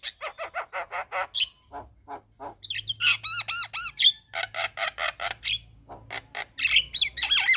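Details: Javan myna singing lively 'isian' fill-in phrases that should get silent mynas answering; quick runs of evenly repeated rasping notes, a series of ringing arched whistles, then more rapid chattering.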